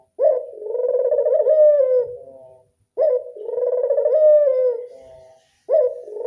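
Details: Local Barbary dove in classic 'anggungan' style, cooing repeatedly: long purring coos of about two and a half seconds, each starting with a sharp onset and drooping at the end, with short silent pauses.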